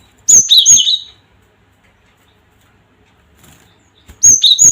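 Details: Cinereous tit calling to provoke rival birds. A clicky burst with two high-low whistled note pairs, a long silence, then the phrase begins again.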